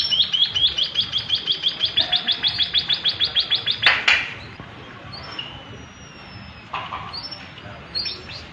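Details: Tame white-headed munia in a long singing roll: a rapid, even series of high ticking notes lasting about four seconds, ending in a sharp clack, followed by a few scattered faint high notes and background hum.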